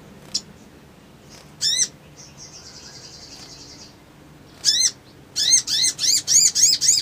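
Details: Crimson sunbird sounding in ngriwik ngleper trotol fashion as a lure to stir a fast emotional response: scattered sharp chirps, a thin buzzy trill, then a rapid run of about six loud high chirps.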